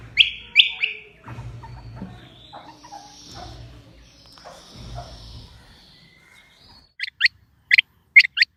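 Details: A quail, possibly a harlequin, king or female rain quail, used as a hunting call, gives sharp, high chirping notes, a quick pair at first and then five clipped calls near the end, with low thumping noise in between.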